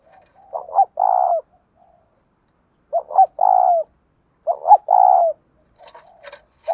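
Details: Spotted dove giving three low coo phrases in the 'giọng đồng thổ' style, 'thúc rút bổi' delivery, each a pair of quick notes then a long throaty coo, roughly every two seconds, with light clicking near the end.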